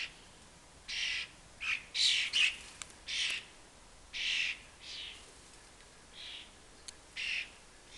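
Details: Juvenile common starlings flying after their parents and begging near a fat ball, from a family nesting high on a building; a rapid series of raspy, wheezy screeches, about ten bursts in eight seconds, varying in loudness.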